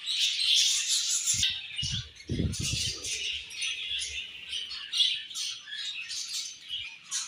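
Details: Flock of budgies at their morning feed. Rapid overlapping chirps and warbles continue throughout, with a short burst of low rustling or fluttering early on.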